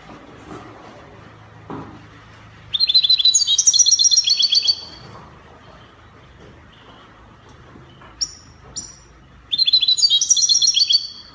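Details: Goldfinch singing copia-style Spanish song, Morocco: two fast, high tinkling trilled phrases of rapid repeated notes, with a couple of short thin chips and a faint knock between them over low hum.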